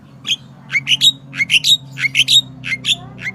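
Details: Lively sooty-headed bulbul (crucukan) song used as a lure; quick groups of two or three bright, upslurred whistled chirps repeated several times, over a steady low background hum.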